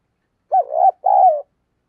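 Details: Spotted dove kept as a decoy bird to lure others, giving a low, mellow two-part coo, the second note longer and slightly falling, in silence.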